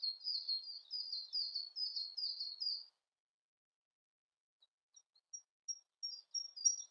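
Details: Siberian blue robin song: a run of quick, high chirping notes repeated evenly for about three seconds, then silence and a few thin, sharp whistles.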